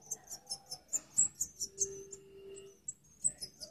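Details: Breeding Parva goldfinch gives a rapid series of high, bright chips about five per second, then a brief pause broken by a sustained low drone, then more high twitters.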